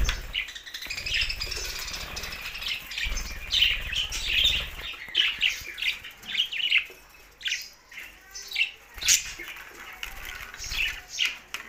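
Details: Budgerigars singing happily: dense, continuous chattering warble of rapid chirps, squeaks and short whistles, with bursts of louder squawky notes throughout and a few brief low thumps.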